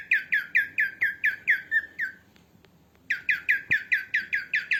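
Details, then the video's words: Female cockatiel calling, meant to train cockatiels. Eight rough, falling squawks repeat about four times a second, broken by a short pause with faint clicks. A second even series of squawks follows. "som de calopsita fêmea voz de calopsita calopsita canta Assobio de Calopsitas"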